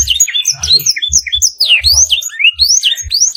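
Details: Canary song for training caged birds, filled with blackthroat-style phrases. Rapid high whistles rise and fall in steep sweeps, chirped about 220 times a minute in an irregular rhythm, with faint low knocks underneath.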